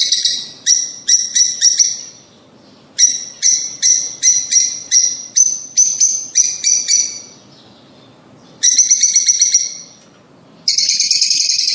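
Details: Fischer's or rosy-faced lovebird calls meant to encourage pairs to mate: shrill, high chirps in fast runs of repeated notes, separated by short pauses, then harsher, noisier bursts near the end.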